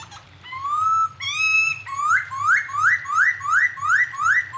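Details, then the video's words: Unnamed songbird on a clear tutoring recording for cage songbirds: long level whistles, then a fast run of rising slurred notes about three per second, over a low steady hum. "master suara burung unik jernih"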